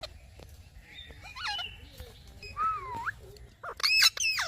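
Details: Pet parrot talking softly, a few scattered harmonic phrases: a wavering mid-pitched sound near the middle, a smooth rising-then-falling slur, then a louder bright burst at the end, with quiet background hiss between.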